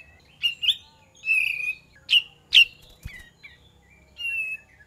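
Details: Sooty-headed bulbul song used as a lure: bright whistled phrases with sharp upward sweeps and short slurred notes, loud bursts spaced irregularly over five seconds, with a faint low thud near the third second.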